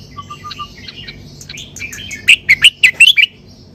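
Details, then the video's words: Red-whiskered bulbul in sai ble style song, opening with a few soft low whistles and quiet twittering, then ending in a loud series of about seven sharp, clear chirped notes. "นกกรงหัวจุก สายเบิ้ล สำนวนเพราะๆ"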